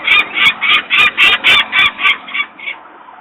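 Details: Screaming peregrine falcon at its nest in Włocławek, Poland, 23 May 2022 mid-afternoon; workers are making noise close by and the young are still on the ledge. Loud, grating notes are repeated about three or four times per second, then tail off after two and a half seconds.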